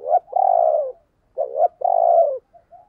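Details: Spotted dove decoy for stirring other doves to coo, repeating its deep coo twice in quick succession, each a short wavering note then a longer steady hoot, with soft trailing notes at the end.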